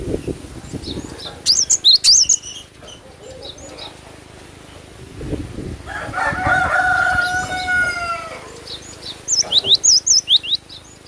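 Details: Cinereous tit phrases of quick, high, down-then-up whistles at the start and end, separated by a long, drawn-out rooster crow in the middle, with rustling noise throughout.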